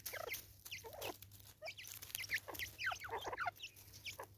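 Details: Natal spurfowl, a single female in South Africa, 2024: a run of harsh, scratchy cackling notes, rising and falling, delivered in quick uneven bursts over faint background hiss.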